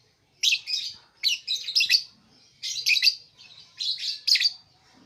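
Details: Lovebird calling in four bursts of high, scratchy chirps about one second apart, each burst a rapid cluster of shrill squeaks.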